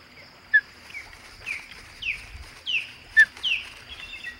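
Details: Three ospreys at the Hog Island nest on 15 August 2020; a series of short, downslurred whistled chirps repeated roughly every half second, some sharper and louder, over a faint steady hum.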